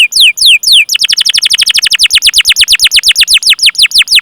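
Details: Canary giving long 'cuit cuit' chirps with rolling trills, used to prompt young, untrained or silent canaries to sing: three loud, high downslurred whistles, then a fast, even roll of sharp descending notes, about eight per second, with no other sounds.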